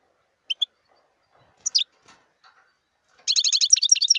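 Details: Wild European goldfinch singing: two isolated high chips, a soft scratchy pause, then a burst of fast, tinkling notes running into a rapid stuttering trill at the end.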